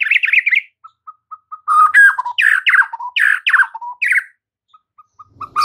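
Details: Caged white-rumped shama giving master song used to train other shamas: a warbled phrase, a run of soft evenly spaced single notes, then loud harsh descending bursts, each ending in a low whistled tail.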